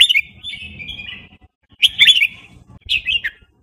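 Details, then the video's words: Red-whiskered bulbul of the Burmese type singing fast wild-style phrases: a drawn-out wavering whistle, then two short bursts of rich, gurgling notes with crisp clicks, faint hum beneath. "นกกรงหัวจุกพม่า เพลงป่า เพลงเร็ว"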